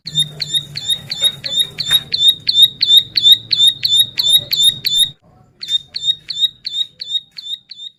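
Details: Energetic bar-winged prinia (ciblek sawah) song for training and luring birds: a long chain of bright, clipped high chirps with a faint low hum beneath, a short pause near five seconds, then thinner chirps resuming at the same brisk pace.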